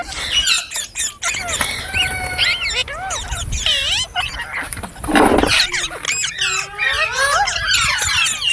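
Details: Green parrot chirps: looping whistled notes and short squeals, a few held flat tones, delivered in uneven bursts over low background noise.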